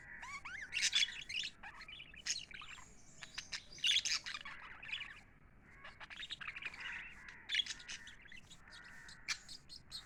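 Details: Happy pet lovebirds chirping together: dense high twittering and short chirps, with a few rising whistled notes, in bursts every few seconds over a soft low hum.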